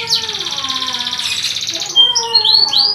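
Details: Canary song for training other canaries: a fast, even, high trill for nearly two seconds, then short bright rising whistled notes, with faint lower tones beneath.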